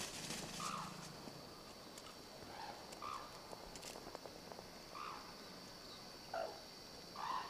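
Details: Captive black-necked crane filmed at the Akan International Crane Center in Japan on January 8, 2006; short, faint honking notes with harmonics repeat every one to two seconds over steady background hiss and scattered clicks.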